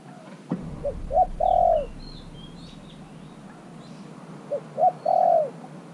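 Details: Decoy spotted dove, caged only three months, calling to draw in wild doves. It gives two three-part coos, a soft note, a stronger note and a long rolling falling coo, about four seconds apart, with small birds chirping high and a knock.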